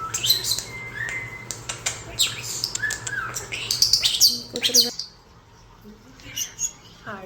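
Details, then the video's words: Three captive European starlings, rescued as wild nestlings, in an indoor bird room, giving a busy jumble of clicks, whistles, squeaks and rattling chatter as they "talk"; a woman's voice is briefly heard. "They talk and make crazy sounds"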